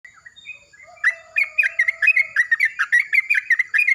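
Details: Yellow-vented bulbul greeting the morning as another bulbul answers loudly: a few soft notes, then a fast run of bubbly, gurgling chirps repeated many times, over a steady high-pitched whine.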